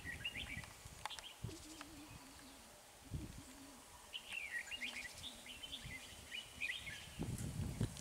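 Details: Red-whiskered bulbul used as a decoy to lure wild birds into a trap in Vietnam, singing short, bright, warbled whistled phrases in scattered bursts, with rustling, clicks and a low hum in the background.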